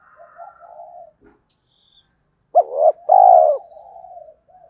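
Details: Spotted dove calling females and provoking rivals. Soft low murmurs open, then a clear phrase of a short sharp note followed by a rich, throaty coo that fades into a quieter trailing murmur.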